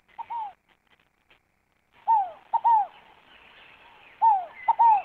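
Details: Scaled dove song of repeated phrases: a brief note, then paired falling coos, three phrases spaced roughly two seconds apart. Soft high-pitched twittering of other birds runs underneath.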